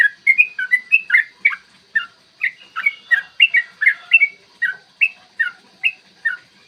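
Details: Yellow-vented bulbul delivering its long, rapid 'ropel' song in the morning, a lure meant to stir other bulbuls to sing and fight. Quick, chattering whistled phrases bounce up and down in an almost unbroken stream.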